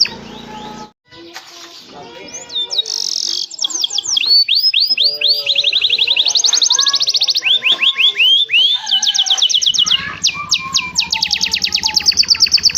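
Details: Canary singing a lively, luxurious 'cengkok mewah' style song used as a master for training other canaries: varied high whistled slides, buzzy trills and rapid repeated notes, some fast rattling runs, with a faint low background hum at the start.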